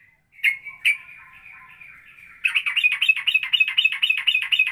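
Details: Ropelan variation by a straw-headed bulbul, styled as a blend of Cucak Rowo and Cucak Jowo: two sharp notes, a long wavering whistle, then a fast, rattling chatter of rapid repeated notes.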